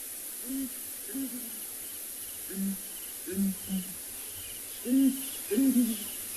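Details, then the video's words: Breeding pair of Southern Ground Hornbills, male and female, calling in a morning duet at Ngala Private Game Reserve, South Africa, in late December; deep low booms in short grouped bursts, doubled and tripled, with faint insects behind. "and I'm actually going to keep quiet just for a little while, just so you can hear the booming call of this pair."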